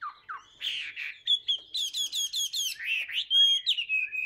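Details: Tame caged Chinese hwamei singing heavily: a rich run of varied clear whistles, slurred rising and falling notes and quick repeated phrases, with no other sounds.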